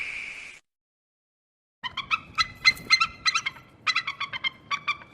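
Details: Eagle sound meant to scare off birds: a brief sustained scream, silence, then a rapid series of sharp, harsh, repeated notes with a faint background rumble.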